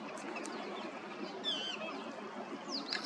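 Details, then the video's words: Male and female Eurasian (green-winged) teals at Ghana Bird Sanctuary, Bharatpur, Rajasthan, India in February 2021 give brief, high whistled notes, with a quick sliding whistle near the end, over a steady wash of water-like background noise. "Green-winged Teals (M & F)"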